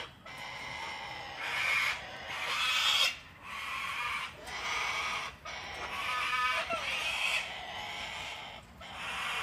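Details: Wild cockatoos crowd a deck in Australia during cold, wet winter weather while being hand-fed; near-continuous grating screeches from several birds run together with only brief gaps.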